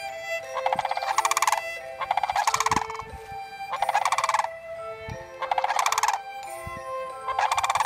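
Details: Dancing sandhill cranes, with a six-year-old child present, give loud rattling, bugle-like calls. The calls come in about five rolling bursts, each roughly a second long and spaced under two seconds apart, with faint low thumps between them.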